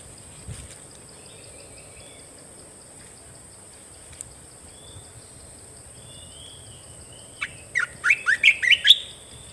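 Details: Red-whiskered bulbul in a cage, mostly quiet with faint soft whistles, then breaking into a rapid run of about six loud, sharp warbled notes toward the end.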